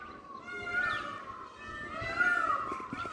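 A peacock gives long, nasal, wailing calls, two drawn-out harmonic cries over about three seconds, against faint background murmur.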